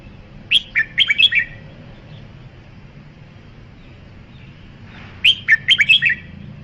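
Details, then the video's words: Red-whiskered bulbul song: two bursts of rapid, whistled, warbling notes swooping between high and mid pitch, each phrase of about five notes, separated by a few seconds of quiet with low background hum. "Tiếng chim chào mào"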